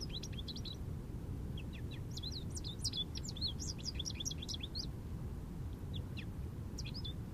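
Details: American goldfinch perched in an Eastern Red Cedar, singing a jubilant, quick, high run of twittering and warbled notes in bursts, over a steady low rumble of wind or distant traffic.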